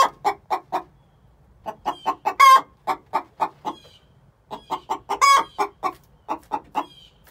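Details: Two six-month-old hens calling before laying, the egg song delivered as short clucking runs, each building to a loud ringing squawk, repeated twice with pauses between.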